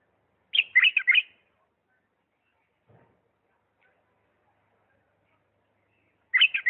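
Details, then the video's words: Singing bulbul from Diyala, 'lisanat' style: a quick burst of four or five rich warbled notes, a long pause with a faint low knock, then a second similar burst at the end. "اجمل تغريد بلبل ديالى طور لسانات راقيه"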